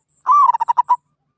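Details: Zebra dove, katok banir call type: a long smooth opening coo that rises and falls, then six quick, clipped rolling notes, ending with a slightly longer final note. The setting is otherwise still.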